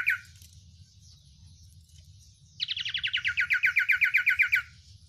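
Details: One short chirp, then silence, then an Oriental white-eye bursting into a two-second, fast and regular string of sharp, slurred chirps typical of its sirtu song style.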